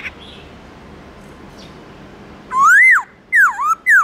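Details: A black-throated laughingthrush sings in the morning with its wild-style song; after quiet background with faint distant notes, loud clear whistles begin, a rising arched slur followed by two quick falling-rising whistled notes.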